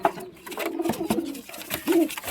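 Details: Pigeons kept in a loft, giving low, throaty coos that rise and fall in short bursts, with clattering and rustling noises between them.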